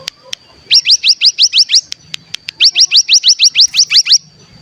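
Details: Bar-winged prinia calls used as a singing lure: two steady bursts of quick, upswept high chirps, seven then ten notes, separated by a short pause with clicks. A thin high whine persists.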